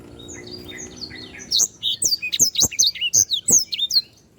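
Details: Sanger canary singing 'gacor' on a bird-training tutor recording: soft, quieter whistled notes at first, then a loud, fast run of sharp, high chirps and slurred whistles.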